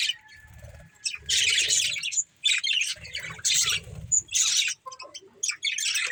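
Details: A breeding pair of budgerigars chirping: dense bursts of scratchy, high warbling chatter separated by short pauses, with a thin whistle near the end and soft low thumps beneath.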